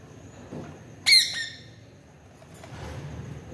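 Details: A single loud, raspy double squawk from a parrot talking with its owner, abrupt and brief, set against a quiet, slightly hissy background with a faint later click.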